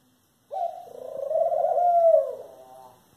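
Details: Eurasian collared dove (Streptopelia decaocto), call.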